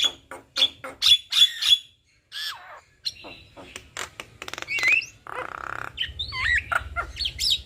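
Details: Black-winged starling male and female duet: loud clicking squawks, a pause, then fast ticking notes, a buzzy burst and looping whistled slurs.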